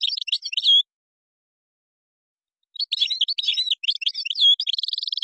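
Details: European goldfinch from Morocco singing Moroccan-style phrases: a short twittering phrase, a pause of two seconds, then a longer tumbling twitter ending in a fast, even trill.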